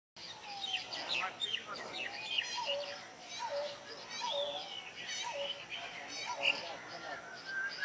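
Pheasant-tailed Jacana giving low, mewing, downslurred notes about once a second, over a busy chorus of higher chirping birds.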